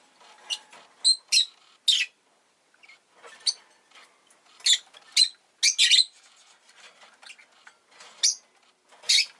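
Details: Captive rosy-faced lovebird during egg laying, chattering with a run of piercing, raspy chirps, some doubled, interspersed with quieter scratchy sounds.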